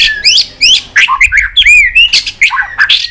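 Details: Provoked white-rumped shama giving fighting song in long phrases: dense, loud stream of varied whistles, upswept notes and rich slurs following one another with hardly a pause.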